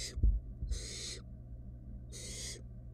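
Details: Barn owl nestling, wild, in a research nest box during a rat-stealing scuffle between siblings: three rasping, noisy hisses, the first cut off at the start, with a faint electrical hum beneath.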